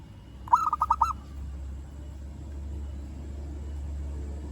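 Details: Local zebra dove calling to a rival, a single short phrase of about six quick, rolling coos, followed by a steady low rumble of background noise.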